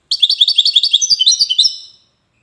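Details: European goldfinch of the Wedani singing style, a kept bird from Safi, Morocco: a rapid, loud run of bright twittering notes, about a dozen quick rising chirps in under two seconds, fading at the end.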